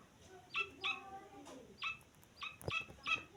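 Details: Single grey francolin chick peeping: six short, high, sharp notes spaced irregularly about every half second, clean and emphatic against a quiet background.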